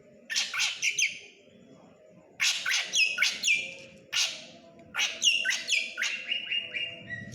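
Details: Actively singing black drongo of the krantil type. It delivers clusters of raspy downward-sweeping notes after a short pause, ending with drawn-out, steady ringing tones, over a persistent low electrical hum.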